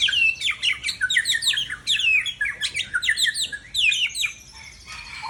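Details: White-rumped shama (murai Aceh), seven years old, from Tangse, singing loudly: a fast, rich run of varied whistled sweeps and chattering phrases in quick bursts, rising and falling, easing off toward the end.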